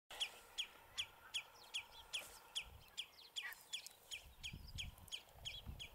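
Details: House sparrows perched on a bramble branch at Battenoord, filmed on a compact Sony Cybershot camera; sharp, bright chirps repeated steadily about two to three times a second, with a few softer overlapping notes and faint low rumble beneath.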